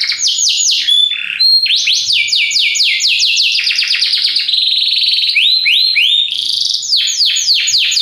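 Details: Belgian canary in a continuous, very powerful song of fast rolling trills and swooping repeated notes, phrases changing every second or so with barely a break; no other sounds.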